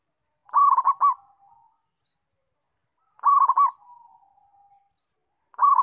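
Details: Local zebra dove in full song: three phrases, each a quick stuttering burst of low, rolling coos followed by a soft drawn-out trailing note, repeating roughly every two and a half seconds in a quiet setting.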